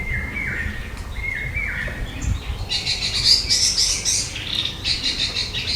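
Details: Orange-headed thrush calling: two clear whistled notes near the start, each with a short falling tail, followed by a jumble of higher chirps and twitters from other birds in a noisy rural background.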